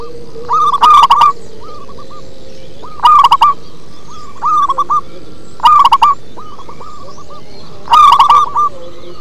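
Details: Bass-voiced local zebra dove song: four loud clusters of rapid coos, each trailed by a softer echoing phrase, spaced roughly two and a half seconds apart over a low background hum.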